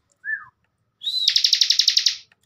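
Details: Bar-winged prinia, ciblek bren master bird kept caged for training youngsters. A short falling whistle is followed by a sustained rising whistle, which breaks into a rapid buzzy trill of about ten high notes.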